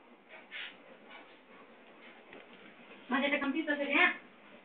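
An Indian ringneck parakeet says a quick, slightly nasal, word-like phrase lasting about a second, after a few seconds of quiet room hiss, then ends with a brief squeak.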